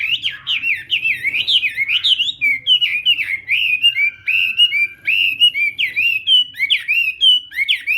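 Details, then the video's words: Chinese hwamei singing in morning voice practice, a rich unbroken stream of swooping whistles with varied repeated phrases and one long level note midway, steady and loud throughout. "Hoạ Mi Hót Đấu /hoạ mi hót sáng luyện giọng"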